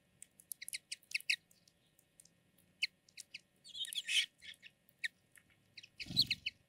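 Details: Common linnets, males and females, singing: quick series of high, dry chirps and twittering notes in short bursts, with a brief rougher buzzy phrase near the end and a faint low thump.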